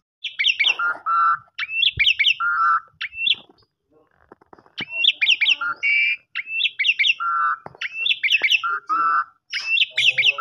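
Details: Asian pied starling singing in the 'kopi-kopiko' style, a lure recording meant to spur other birds to sing: dense bursts of high squeaky chirps alternating with lower, buzzy rolled notes, a short pause midway, then rapid repeated phrases resume.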